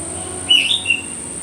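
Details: Myzomela recorded on 25 December 2022 for behaviour observation: a short burst of high, sharp chirped notes, first a bright squeaky note and then quick descending twitters, over a steady high hiss.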